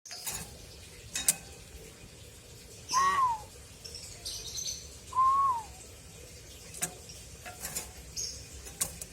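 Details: Pet common hill myna giving two clear whistled notes, each sliding downward, about two seconds apart, with scattered sharp clicks and taps and a steady low background hum.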